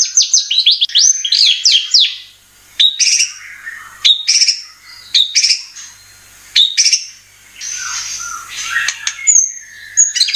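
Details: White-rumped shama (murai batu) performing varied song as a lure to make birds sing: a dense opening burst of quick whistles, then separated loud rasping phrases and scattered high notes with short silent gaps.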